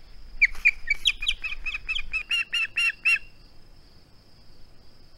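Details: Osprey, a male at its nest on 21 August 2020 refusing to part with his flounder, gives a burst of about a dozen piercing whistled chirps lasting three seconds, then falls quiet; a thin constant high hum continues.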